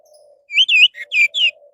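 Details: Orange-headed thrush song, played as a lure to get other birds singing: one short burst of loud, clear whistled notes sliding up and down, preceded and followed by a faint low hum.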